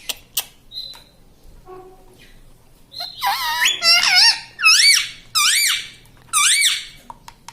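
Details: Talking pet parrot, kept at home and said to say "mummy": a few clicks and a short tone, then a run of five or six loud, squeaky, bending harmonic syllables in quick succession.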